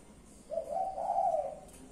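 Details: Low, mellow cooing phrase from a pet spotted dove, one continuous purring coo of about one second that swells in the middle and fades, against a quiet background.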